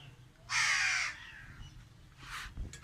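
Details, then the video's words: A single crow in a tree gives one long, rasping caw, followed by fainter, shorter calls as it trails off. "Emotional Crow Crying Alone on Tree"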